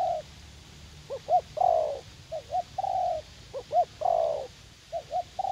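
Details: Spotted dove, a young wild bird spoiling for a fight, cooing in a garden at U Minh during decoy trapping; short doubled hoots then long, level coos, phrases repeated in steady succession.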